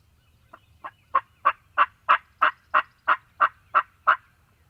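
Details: Spring Wild Turkey in Mississippi, morning: a dozen raspy notes at a steady pace of about three per second, starting soft and swelling to loud, over a faint low hum.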